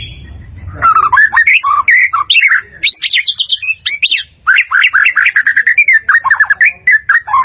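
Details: White-rumped shama song meant to tutor caged birds: a long, loud and varied run of quick whistles, chirps and high trills, in dense rapid bursts with one brief pause midway, continuing right to the end.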